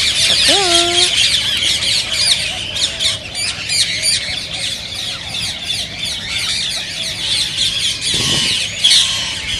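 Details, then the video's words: Rose-ringed parakeets, their calls said to stimulate other parakeets to sing and mate; a dense flock chorus of shrill, scratchy screeches and chatter, with a few lower, drawn-out rising calls near the start and a sharp squawk near the end. "ببغاء الدره تحفيز رهيب رهيب"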